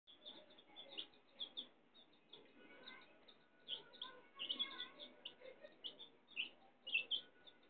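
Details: A domestic hen with her chicks: many short, high peeps repeated rapidly and overlapping throughout, with soft, lower murmuring beneath and louder bursts near the end.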